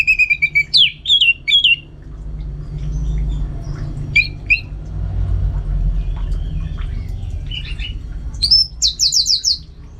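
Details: Home-kept orange-headed thrush giving loud whistled notes in a quick group, a long pause with low rumbling background, then scattered short phrases and a rapid buzzy trill at the end.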